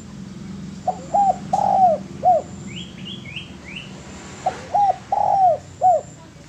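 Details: Master song of a spotted dove: two coo phrases of short hoots, long arched coo and final hoot, with a brief burst of high rising chirps from another bird in the gap.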